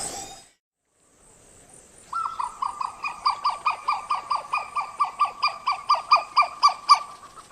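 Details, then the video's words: Western Plantain-eater giving a series of yelps: a long run of evenly spaced hoarse notes that grow louder and slightly quicker over about five seconds, after a brief higher call and a pause. "The call is a series of yelps that accelerate and become louder,"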